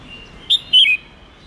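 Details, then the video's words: Red-whiskered bulbul singing a forest-style song meant for teaching young birds: a brief high whistled note followed by a longer, falling two-part slur, with faint hiss behind. "Luyện chào mào hót giọng rừng âm cực dài 9-10-11 nghe đã tai/Ép cào mào non học giọng hiệu quả"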